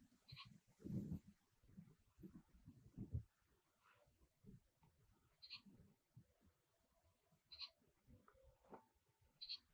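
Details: Oriental pratincole, a summer visitor in Taiwan, giving short, sharp, high notes spaced several seconds apart over low rumbling background noise.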